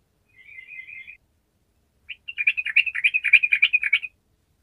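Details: Sooty-headed bulbul singing energetically ('gacor'), meant to coax quiet bulbuls into song: a thin, high trill, a short silence, then a rapid, bubbling string of chirpy, warbled notes, with no other sounds.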